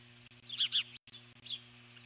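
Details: Alert call from an eagle on the nest while an intruder, eagle or osprey, circles nearby, 12 July 2014; two quick piercing chirps in close succession, then a fainter note, over a low mechanical hum.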